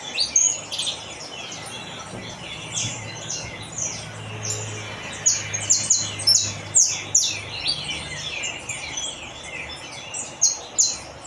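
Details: Saffron finch singing: a steady run of short, high chirps and sharp notes, roughly two per second at irregular intervals, with a faint low hum in the background.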